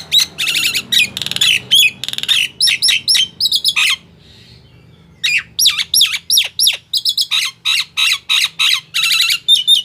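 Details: Nias hill myna song used to coax mute captive mynas into singing: dense bursts of harsh, squawky and whistled notes, a brief silence near the middle, then rapid varied calls resume.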